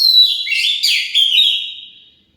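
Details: Kacer lure song meant to draw replies from other magpie-robins: a continuous, clear stream of high whistles and quick slurred notes that gradually fades out over two seconds.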